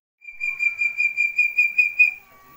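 A young Chestnut-bellied partridge gives a thin, high, steady whistle, pulsing about four times a second for nearly two seconds.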